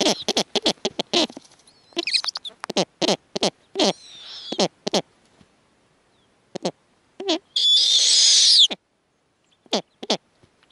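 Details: Snowy owls at the nest, where the female with her offspring greets the male as he flies in with prey: rapid harsh cackling barks in fast bursts, then a short pause and a drawn-out high hissing screech, followed by a few scattered barks.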